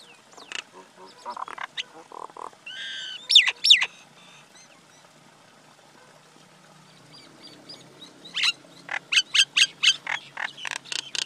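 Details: Male and female common myna (Acridotheres tristis) calling: gurgling harmonic notes, then a burst of loud looping whistles, a quiet pause, and finally a fast series of harsh, clicking chatter notes.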